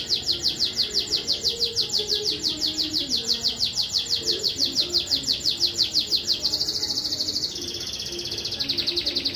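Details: Domestic canary in a Brazilian singing contest at Juiz de Fora, Minas Gerais: an even, fast pulsing trill of high notes for about six seconds, then a smoother sustained high tone and a quicker trill, soft background noise.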